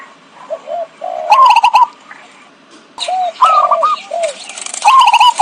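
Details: Lure call of a zebra dove for bird trapping: soft low coos lead into rising, rapidly stuttered notes, and the phrase repeats about every two seconds over faint background hiss.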